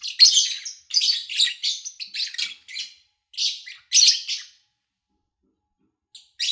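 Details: Pet lovebirds recorded in August 2019 in a quiet setting: busy high squeaky chirps for about two seconds, then a few isolated bursts, a silent stretch of over a second, and a final short chirp.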